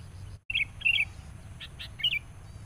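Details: Angry sooty-headed bulbul facing a rival during decoy trapping gives two quick bubbly, slurred notes, then a couple of softer chirps and a final bright warble over low background rumble.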